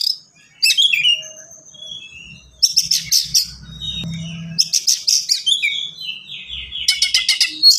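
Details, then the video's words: Oriental magpie-robin (kacer) in rapid, varied song: whistled slurs, then long runs of fast repeated chips and rattles, continuing almost without pause to the end. "KACER GACOR SPEED RAPAT FULL ISIAN"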